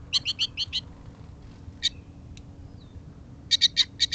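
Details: Goldfinches chattering at an early morning gathering: a quick burst of five bright, high twittering notes, a quiet gap with a single chirp and a faint thin whistle, then another rapid run of twitters.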